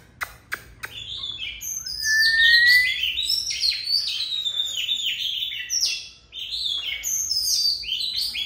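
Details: Oriental magpie-robin singing a long unbroken song: a few sharp clicks, then a rising whistled note leading into a dense, fast run of high, varied warbling and slurred phrases that continue without pause.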